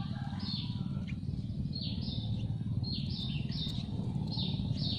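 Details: Yellow-vented Bulbul nestlings, hungry in their nest on a tree, give a steady string of high, sliding chirps, somewhat softer and more spaced, over a continuous low-frequency rumble.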